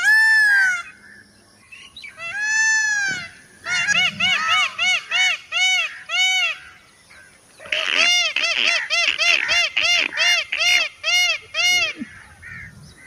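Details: Peacock giving loud, nasal, honking calls in quick repeated series of about eight notes, two such bursts separated by short pauses, with a few longer wailing cries at the start and faint rural background.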